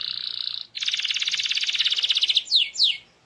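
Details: Canary song to prompt other canaries to sing: a buzzy note, then a rapid pulsed trill of about two seconds, finished with two quick rising sweeps.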